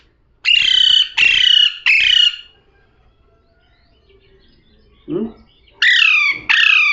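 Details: Parrot utters three harsh, buzzy squawks in a row, then a short low-pitched sound after a pause, then two more rough squawks.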